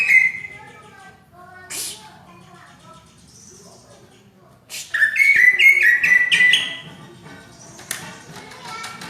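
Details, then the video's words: Cucak ijo, the greater green leafbird, in full vigorous song of the tight 'rapet' kind said to resemble a kacer: scattered chips and a brief whistle, then a loud burst of rapid warbled notes mid-clip, fading to quieter calls. "Burung Cucak Ijo Gacor Suara rapet - cucak hijau Gacor rasa kacer"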